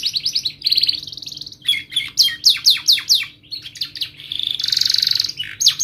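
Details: Tutor song of a canary for teaching young birds: varied, high, ringing phrases, with fast chirped notes, sharp repeated whistles and a buzzy sustained roll near the end, delivered continuously and loud.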